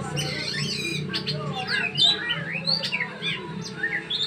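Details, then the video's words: Oriental magpie-robin singing during training alongside another magpie-robin: a continuous run of varied whistled notes, rising and falling slurs and quick chirps, with a low hum and faint voices behind. "Kacer, latihan dulu,,sama kacer temam,,"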